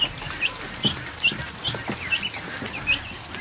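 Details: Newly hatched ducklings, more than a hundred, kept in a kiddie pool in a barn one afternoon; high chirping peeps come in quick bursts about twice a second over a faint hubbub of more chicks.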